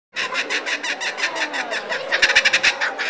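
A kookaburra's harsh, rolling cackle, rapid chuckling notes about three a second, swelling into louder, quicker hoots near the end.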